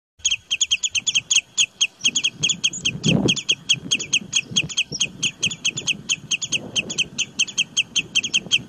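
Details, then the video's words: Bird singing a fast series of sharp, high chirps, each a double note, repeated about every quarter second in a steady chattering run, with soft low clucking and rustling underneath. "Amazing bird voice"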